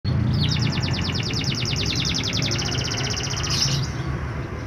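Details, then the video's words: A canary delivers a fast, even trill of high, bright notes, roughly a dozen per second, over a steady low hum. "Pancingan Burung Kenari Malas Bunyi"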